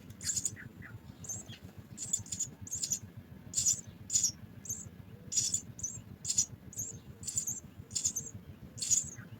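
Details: House sparrow chicks being fed at the nest, begging with rapid, thin, high chirps in dense bursts, some clustered or overlapping, repeated throughout over a low steady rumble.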